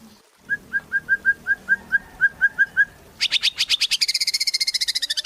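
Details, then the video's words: A white-rumped shama sings steadily, used to lure other shamas into song: a dozen evenly spaced whistled notes, then a rapid, accelerating high rattle. "Murai Batu Gacor | AMPUH buat PANCINGAN Murai Batu Agar Bunyi"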